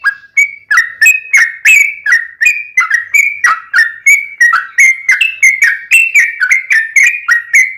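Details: Yellow-vented bulbul song used to draw replies from caged birds: quick, unbroken series of gurgling, up-and-down whistled notes, about three each second.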